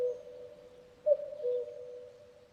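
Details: Common cuckoo giving one two-note call, a higher note dropping to a lower one, clear and mellow over a steady low tonal hum.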